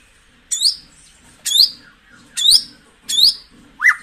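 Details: White-rumped shama song used to stimulate caged birds: five loud, sharp phrases, each a quick high sweeping whistle, repeated roughly once a second, the last note dropping lower and rising; otherwise quiet background.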